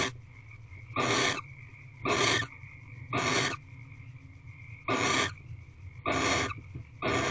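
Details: Female barn owl resting on the floor of her nest box at 5:57 pm. She gives breathy, broadband screechy hisses in an uneven series, roughly one per second with occasional longer gaps, over a constant low hum.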